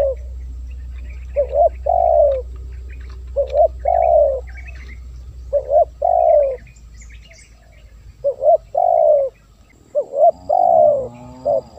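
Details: Spotted dove call for luring wild doves. Rhythmic phrases of paired short coos followed by a drawn-out falling note repeat steadily, with faint chirps of other small birds higher above and a low background drone.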